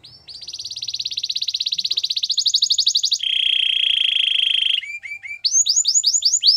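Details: Canary song for coaxing a quiet canary into singing: a fast, even trill of high notes gradually rising, then a steady buzzy roll at lower pitch, ending with a string of sharp, bright, upward-flicking notes.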